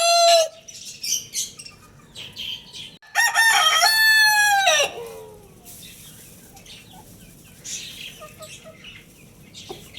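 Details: A single strong rooster crow, about two seconds long: it opens raspy and broad, then holds a drawn-out tone that slides downward at the end. A short earlier call and faint chirping birds are also heard.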